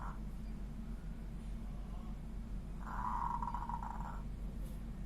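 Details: Local-strain zebra dove singing in the 'ngorok' style: a rough, rattling coo phrase of about one and a half seconds at mid pitch, with a faint short note at the start, over a steady low hum.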